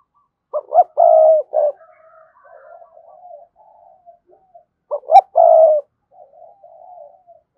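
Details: Spotted dove calling rival wild doves, its rapid cooing heard as two mellow phrases about four seconds apart. Each has quick lead-in notes, a long coo and a clipped end, with low soft burbling between.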